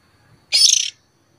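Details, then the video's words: A young oriental magpie-robin begging for food gives a single harsh, hissing rasp under half a second long, high-pitched and scratchy, with quiet before and after. "Tiếng chòe than non kiêu mồi"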